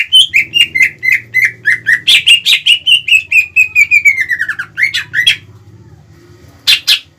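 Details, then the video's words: Provoking song of a Greater green leafbird, meant to stir up rivals both adult and young: a rapid string of whistled notes gradually falling in pitch with dense chirps overlapping, then silence and one final sharp burst, low hum beneath. "PANCINGAN CUCAK IJO GACOR CEPAT MEMANCING EMOSI LAWAN"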